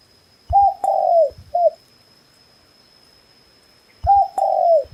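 A red junglefowl gives a short, hoarse crow: a brief note, a longer drawn-out middle note and a clipped ending, repeated after about three seconds. A faint steady high whine persists.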